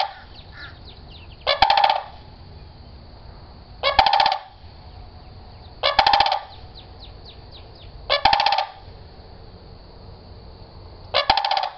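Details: Squawking sandhill crane with five rolling, grating calls, each a burst of rapid rattling pulses, repeated about every two seconds. Soft twittering from small birds is heard between the calls.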